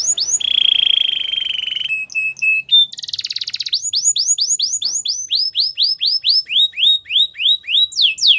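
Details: Canary's training song: a steady high rolling trill, a few short clipped notes, a harsh buzzy burst, then a long run of sharply falling whistled notes repeated about four times a second.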